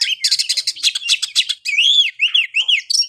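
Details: Oriental magpie-robin singing, for prompting a lazy caged bird: fast stuttering chirps at first, then loud arched whistles rising and falling one after another, ending in quick bright notes.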